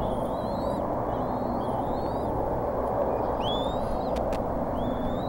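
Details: Bald eagle eaglets in the Decorah nest on 16 April 2014, around 10:00, give thin, high, short, slightly rising peeping whistles, repeated unevenly over steady wind rumble, begging for food as they are fed.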